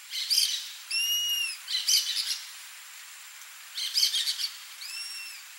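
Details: Rusty-margined flycatcher in the wild: bursts of scratchy chattering alternate with long, level, slightly arched whistles. Two whistled notes and three chatter bursts are heard, and the pattern repeats over several seconds.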